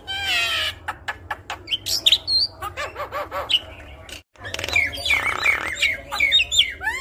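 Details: Javan myna song for prompting other mynas to sing: a raspy opening, clicking notes and high whistles, a brief pause, then harsh chatter mixed with squeaky whistles, over a low hum.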